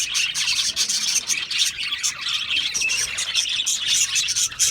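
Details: Several parakeets chirp together in a steady, scratchy warble of fast, high twitters and squeaky notes, the flock sound never pausing.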